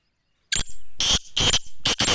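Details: Black francolin calling up close: a short sharp note, then a run of three or four loud, harsh, grating bursts that rasp strongly in the upper range. A quiet pause comes before the call starts.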